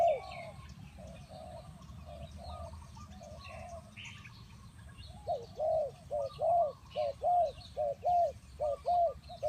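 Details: Spotted dove lure call for bird trapping: soft, muffled coos at first, then loud rounded coo notes in quick pairs and triplets during the second half, with distant chirping birds in the background.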